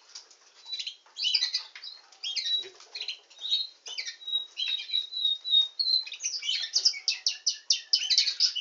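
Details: Nightingale singing canary in full song: twittering phrases mix with steady high whistled notes and end in a fast, evenly pulsed trill over the last few seconds.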